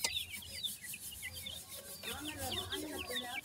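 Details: Captive grey francolin chicks in Multan, sold as young birds, call with dense, thin, descending chirps that grow busier halfway through, over a faint low hum.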